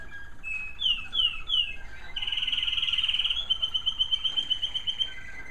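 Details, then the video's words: Bird-room American Singer canaries singing in the evening: bright descending slurred notes, a loud rattling roll, then a clear sustained whistled trill with a softer pulsed ending. "More beautiful evening American Singer canary sounds"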